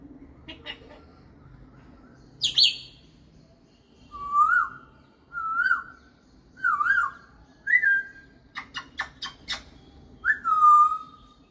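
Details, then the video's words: Pet African grey parrot mimicking other birds: a series of clear whistled notes, each a short rising-then-falling slur, repeated about every second with brief chirps and clicks between. "mimicking other birds"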